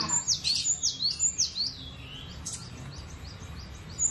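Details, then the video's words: Relaxed, free-flowing gacor singing by a cinereous tit: a rapid run of six high, clipped whistled notes swinging down and up, then a pause with soft background noise and a last short note at the end. "GELATIK BATU..PLONG BANGET BERKICAUNYA.SUPER SANTAI.GACORR"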